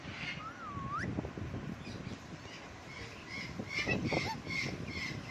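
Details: On a lemon plant, a parrot gives one drawn-out whistled note that dips and then sweeps upward, followed after a pause by a burst of quick, rasping chirps over steady outdoor background noise.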